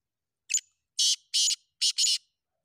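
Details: Black francolin of Sindh, known locally as kala teetar: a short squeaky opening note, then four loud scratchy bursts at an even rhythm, the last two run together, on a silent background.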